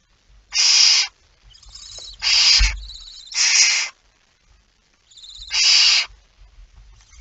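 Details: Barn owl at the nest during a feed on 19 September 2019, early morning: four loud breathy hisses with fainter thin squeaky hisses between them and a sharp bump in the middle.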